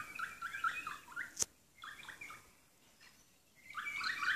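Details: Wild kaka, a native New Zealand parrot, on Stewart Island; short bursts of harsh, grating chatter in clusters, a sharp click, then a long quiet gap before another rasping series.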